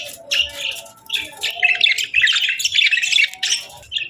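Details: Pet budgies chattering in busy, squeaky warbles that rise and fall, overlapping calls filling most of the stretch with brief quieter gaps.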